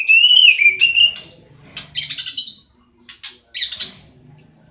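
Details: Oriental magpie-robin fighting: a bright wavering whistle opens, followed by rasping, buzzy bursts and short scratchy notes with gaps between them.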